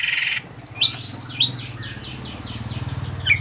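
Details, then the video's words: Long-tailed shrike from Pemalang, Central Java, Indonesia, gives a few sharp, high chirps and short squeaky notes in quick succession over a steady low hum. "CENDET ISIAN SEKEBON"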